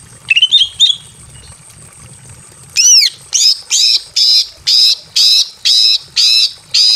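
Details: Female greater green leafbird in breeding condition calls a male from a simple aviary: brief chatter, then a steady series of about nine harsh buzzy notes every half second.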